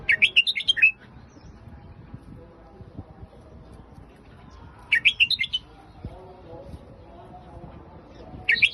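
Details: Red-whiskered bulbul singing in the Phetchaburi song style: short, bright warbled phrases of about a second, rising and falling, given twice about four seconds apart, with a third starting at the end, over a low background hum.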